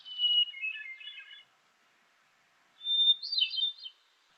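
Hermit thrush singing two fluty phrases, each opening with a long clear note and then a shimmering cascade. The second phrase is pitched higher, after a short pause.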